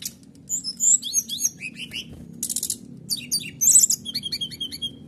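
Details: Canary in full 'nembak' song to provoke other birds into singing: continuous fast sequences of high sharp chirps, buzzy trills and dropping whistles, almost without pause, over a faint low hum.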